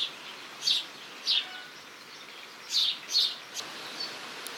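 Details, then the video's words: House Sparrow giving short, bright cheeps, often in quick pairs, about every half second to second, with a faint background hiss. "Домовый Воробей"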